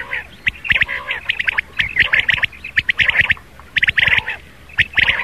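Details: Rain quail morning calling used for hunting lures; rapid chains of sharp, metallic notes in uneven bursts, some overlapping.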